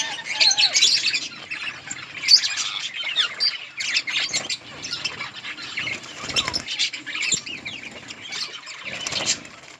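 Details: Budgerigars feeding on green leaves in their colony, a busy stream of overlapping warbled chirps and squeaky twitters with occasional wing flutters and rustling.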